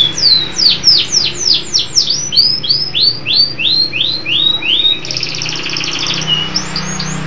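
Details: Local canary singing, a lively, strong performer: a rapid series of bright downward-sweeping whistled notes repeated about three per second, then a fast buzzy trill and more sweeping notes, with a low hum underneath.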